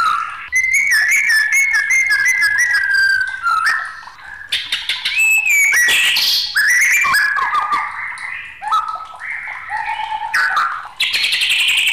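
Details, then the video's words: Agitated white-rumped shama in long, restless song, mixing sweet slurred whistles, rattling trills and loud explosive notes, each phrase changing pitch and style without break. "SUARA MURAI BATU NG4MUKK"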